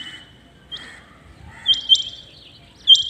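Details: Rain quail calling early in the morning: a few sharp, high metallic notes in quick pairs, spaced over a second apart, over a steady high hum and faint background noise.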